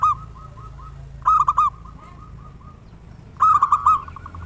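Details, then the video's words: Loud-voiced local zebra dove singing actively, offered as a lure to spur other doves to sing. Two strong bursts of four rolling, clipped coos stand out above softer, evenly spaced coo notes continuing underneath. "Perkutut lokal gacor suara besar - Pancingan pikat merangsang agar cepat bunyi"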